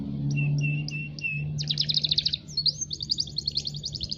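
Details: Song of a local canary: a few spaced level whistled notes, then fast bright trills and a rising rolled phrase, accompanied by a steady low hum beneath.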